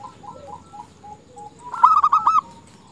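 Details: Zebra dove female calling males, a recording meant to excite males: soft distant cooing at first, then one loud, quick rolling burst of clipped coo notes lasting about half a second.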